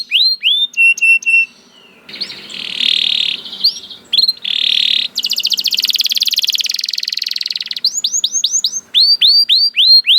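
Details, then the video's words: Canary singing a varied song: rapid upslurred whistled notes repeated in series, buzzy harsh passages, dense fast trills, and rising chirps, all high-pitched and continuous. "Voice of Canary"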